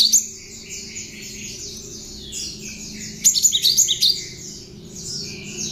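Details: Cinereous tit (gelatik batu), tame and hand-reared, singing learned prinia phrases for training other birds: brief sharp note at the opening, then a fast string of loud high chirps around 3.3–4 seconds amid faint twittering and low hum.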